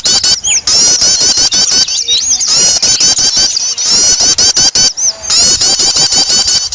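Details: Noisy lure recording of small birds meant to draw birds together: dense, loud, high-pitched chirps and twittering notes tumbling over one another in rapid bursts, with brief gaps and a few lower squeaky notes mixed in.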